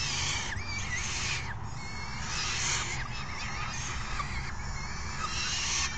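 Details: Hungry falcon young beg raucously while a parent feeds them a meal delivered by its mate, June 3, 2018; coarse screeching waves alternate with rising and falling thin squeals.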